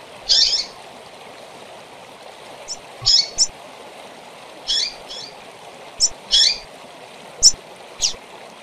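Rusty-collared seedeater giving short, high, sharp chirps in irregular bursts, about eight in as many seconds, over a steady background hiss like running water.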